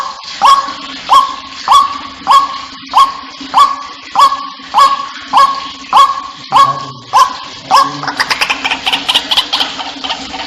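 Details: White-breasted waterhen call played as a lure to bring the birds in: loud, short notes repeated at a steady pace about every half second, breaking into a fast, harsh chattering burst near the end.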